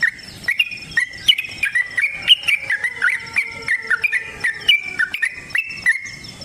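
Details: Yellow-vented bulbul giving a long, rapid fighting song: a steady run of bubbly chirped notes with quick rising and falling inflections, repeated every few tenths of a second, punctuated by sharp clicks.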